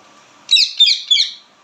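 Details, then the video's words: After a brief quiet start, an Indian ringneck parrot lets out three rapid, raspy chirps, each sliding slightly downward, over faint background hum. "पहाड़ी तोता बोलने बाला🦜 ringneck parrot/natural talk sound"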